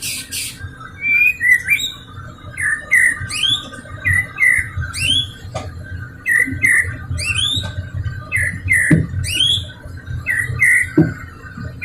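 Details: White-rumped shama song used as a lure to prompt silent or unmotivated caged shamas to sing: a long run of rising whistled notes with sharp high clicks and buzzy flourishes, repeated roughly every half second, over a low steady hum.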